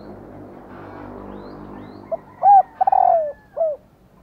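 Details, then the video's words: Female spotted dove calling so males will coo in reply; after a quiet hissy start comes one phrase: short note, clipped coo, long downward-sliding coo and a short rounded ending note. "Tiếng Cu Mái/ cu mái kêu kích chim cu gáy trống gáy theo"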